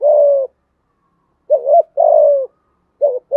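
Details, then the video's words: Spotted dove in the 'giọng thổ' and 'giọng hạp bổi' cooing styles: a short rising note followed by a long, steady, mellow coo. The phrase repeats after a silent pause, with no other sounds. "cu gáy thúc gù giọng thổ cực đỉnh giọng hạp bổi"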